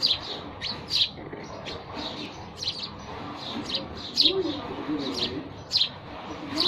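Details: Scattered sparrow chirps, some loud and sharp, others softer, arriving irregularly with pauses, over steady low background noise.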